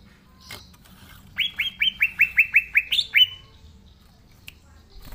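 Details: Green leafbird in full song, natural recording for prompting young leafbirds: after a faint note, a steady run of about ten downslurred bright whistles, the last one higher, then quiet.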